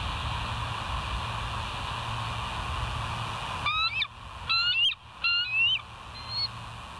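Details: West End bald eagles on a nature live cam, 08/01/2023, 05:18: a burst of shrill, stuttering, upward-sliding whistles in three quick groups, then a lone thin note, over a steady electrical hum.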